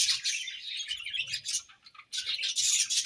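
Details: Pet budgerigars chirping as they eat: rapid, grating warble of high chirps, broken by a brief dip in the middle before the chatter resumes loudly.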